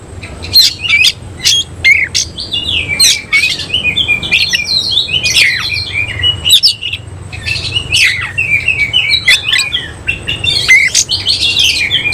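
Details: Oriental magpie-robin singing with its tail spread, semi-Cililin style: a long rich outpouring of rapid varied whistles, slurred warbles and harsh clicking chips, nearly unbroken for over twelve seconds.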